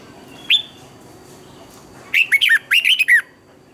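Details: Morning song of a red-whiskered bulbul used to train other birds to sing: one clear high note, a pause, then a rapid string of seven looping, warbled whistles in a double twisted-note pattern.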